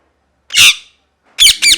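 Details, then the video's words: Screaming parrot: one long, harsh, rasping squawk, a second of silence, then two shorter, sharper screeches close together. The calls are indoors with no other sounds. "Parrot Chirping Sounds | Natural Parrot Sounds | Parrot Calling Sounds"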